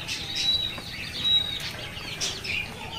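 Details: A pet rose-ringed parakeet that talks chatters in quick, high, squeaky chirps and thin whistles, about one burst a second, over a faint low hum.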